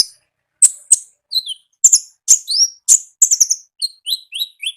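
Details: Wild olive-backed sunbird in energetic gacor ngalas song: thin, high, sharp ticks followed by a string of short descending whistled notes, each about a third of a second apart, on a quiet background.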